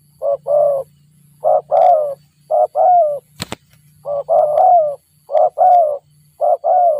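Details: Spotted dove trapped with the help of a lure bird, giving rapid two-part coos, a short note then a falling coo, about once a second. A sharp click cuts in midway over a faint low hum.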